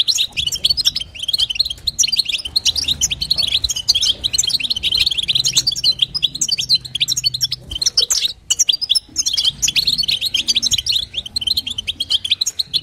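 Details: Long bout of a female European goldfinch calling to excite a male: high, bubbling twitter of rapid chirps, unbroken for most of the stretch, over a low background hum.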